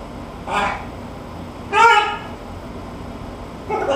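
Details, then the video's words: Talking pet macaw imitating a duck indoors: three separate hoarse, nasal quack-like calls about a second or more apart, the middle one longest and loudest, against a quiet room background. "THE TALKING MACAW"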